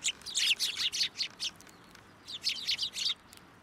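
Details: Sparrows gathering to be fed at a shrine post in January 2023: clusters of fast, harsh chirps in two bursts separated by a short pause.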